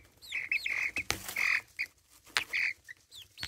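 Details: Domestic chicks about four and a half weeks old, recorded on a phone set down among them: a few drawn-out high peeps and short chirps near the same pitch, separated by sharp knocks and taps.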